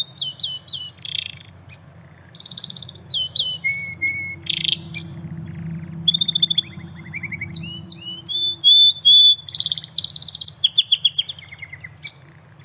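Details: Vigorous wild canary song of the 'tembakan' (shooting) type: a varied, continuous medley of fast trills, buzzy rattles, high chirps and long level whistles, changing phrase every second or two, with a faint low hum behind.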